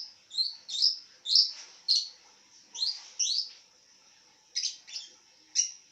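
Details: Reclining lovebird giving bright, squeaky chirps, several rising notes in quick succession, a brief pause, then a few sharper clipped chirps.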